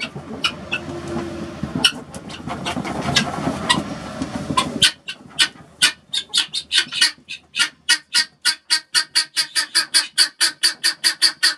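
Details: Guinea fowl dust bathing in peat moss bedding. Rustling and scratching noise, then a harsh, evenly spaced series of broadband calls, repeated about three times per second for several seconds.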